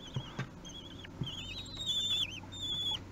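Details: Common kestrel chicks three weeks old calling during a feeding at the nest, 8 June 2021, Théding, France: thin, wavering high whistles, some long and drawn out, with a few low thumps and knocks.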